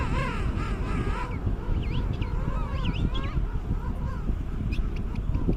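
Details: Penguins calling: wavering, nasal calls that bend up and down in pitch, given by several birds and overlapping, over a heavy, constant roar of wind.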